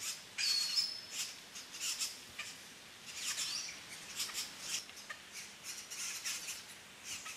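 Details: At a nest in La Romera reserve, Sabaneta, Antioquia, Colombia, in 2012, three red-bellied grackle chicks beg while being fed, giving scratchy, hissy high bursts in a steady irregular stream, with a short thin whistle near the start.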